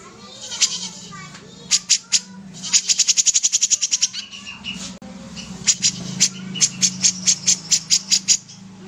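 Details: Common iora song: bursts of sharp, very high chipping notes, some delivered in quick even runs of about a dozen, separated by short pauses, over a steady low hum and faint background voices.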